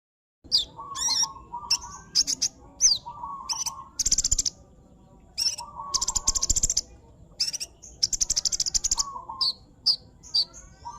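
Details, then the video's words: Sunbird singing actively: bursts of very high, thin chirps and rapid buzzy trills, interleaved with lower, short steady whistled notes, phrases repeated about every second with brief pauses. "pesona burung kolibri gacor"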